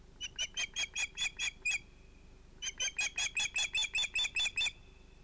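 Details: Osprey at its nest with two ringed young, evening fish delivery at sunset, 11 August 2018: two bursts of shrill, clipped whistles, about eight notes then eleven, each sharply repeated at an even fast pace.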